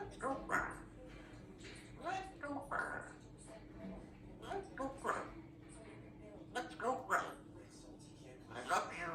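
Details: Female African grey parrot, young, sitting at home chatting and practising words, chatters in short, speech-like bursts of mimicked words at an uneven pace, with a faint steady hum in a quiet room.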